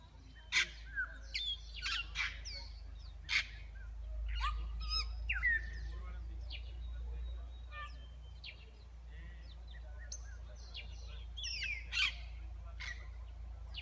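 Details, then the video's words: Wild African grey parrots near Kibale Forest National Park, Fort Portal, Uganda, eating palm nuts before the flock takes off: a steady stream of sharp whistles, clicks and squawks from several birds, with low wind rumble. "Wild African Grey rounds up flock for takeoff"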